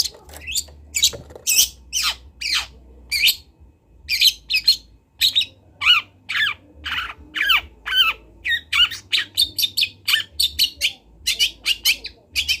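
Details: A local long-tailed shrike from Kendal, recorded as training material for young birds, gives a long run of sharp, harsh notes that sweep downward, becoming faster and more rapid toward the end, with a faint background hum.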